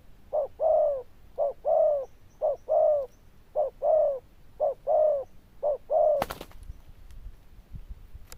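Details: Zebra dove with a strong bell-like voice, repeating short-long coo pairs roughly once a second before a brief rustling burst and quiet.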